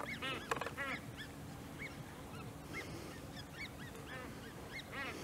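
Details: Great crested grebe with young at Maasbommel on 1 August 2018: rapid series of arched, harmonic, whining notes repeated several times per second, with a brief clatter near the half-second mark and a steady low hum beneath.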